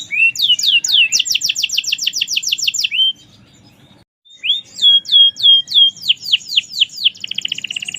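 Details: Merlok-type canary singing gacor, in full song: a rising note leads into a fast run of high downslurred notes, then a brief pause, slower sweeping downslurs and a closing buzzy trill.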